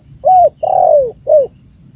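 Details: Spotted dove giving its call, meant as a lure to attract birds: three hollow coos, a rising-falling note, a longer coo drooping in pitch, then a short descending coo, with a clean quiet background.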